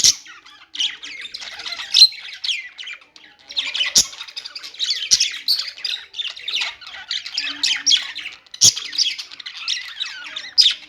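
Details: Nonstop warbling of budgies, a long stream of rapid chirps and scratchy squeaks in loose bursts, with occasional sharp clicks.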